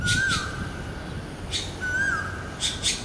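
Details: Red-billed blue magpie calling repeatedly after spotting a giant turtle; short harsh squawks alongside a thin, steady whistled tone with two brief wavering rises.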